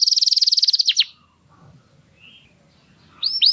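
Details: Canary song phrase used to stimulate breeding birds: a fast, even, high rattling trill that ends in two steep downward slurs, a pause with a faint soft note, then two more bright downslurred whistles.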